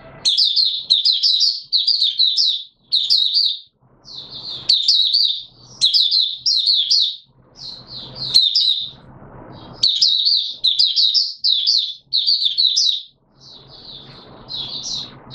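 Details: White-eye in song while not yet in full condition, delivering quick high chirpy phrases in a near-continuous run of short bursts, roughly one per second, with faint low thumps between them.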